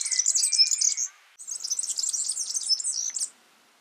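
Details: A wild yellow-fronted canary sings two phrases of high, fast, jumbled chirps and trills, separated by a brief pause.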